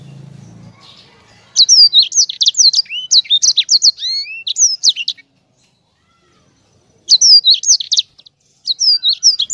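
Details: Sanger bird song in two bursts: a quick string of high, slurred whistles and chirps, a few seconds of silence, then another fast rolling phrase; a faint low hum at the very start.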